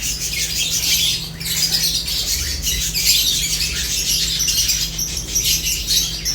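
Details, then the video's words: Lovebirds chirping while they eat: an unbroken wash of harsh, squeaky high notes from several birds, steady in loudness, with a low background hum. "Lovebirds unique colors eating and chirps sounds"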